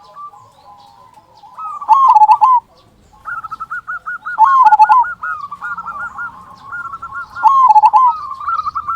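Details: Local zebra dove in full song, its big "kung" voice used as a lure to excite quiet doves: three loud burbling coo phrases separated by long runs of quick, evenly repeated trilled notes.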